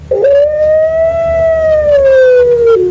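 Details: Puter pelung dove with a wolf-like voice, used as a lure for other doves, gives one sustained howling coo. The tone swells, holds steady for nearly three seconds, then sinks at the end, with a faint hum beneath.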